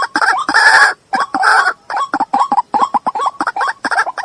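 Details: White-breasted waterhen giving loud, harsh croaking calls mixed with rapid hooked notes, uneven in rhythm and densely repeated through the clip.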